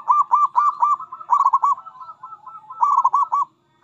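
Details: Local zebra dove uttering a long, continuous series of rhythmic pulsed coos in several clusters, rolling and bubbling with little pause.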